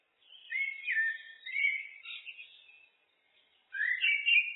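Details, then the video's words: Looped song of a common blackbird: a warbling, mellow whistled phrase with rising and falling slides, a brief pause, then another bright fluted burst. Quiet background. "Blackbird, Turdus merula, birds (looped), SOUND EFFECT"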